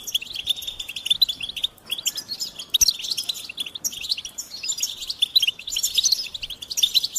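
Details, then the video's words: Singing goldfinch delivering phrases of fast, bright twitters and buzzy trills separated by short pauses, in a quiet setting. "Experience the Goldfinch Singing"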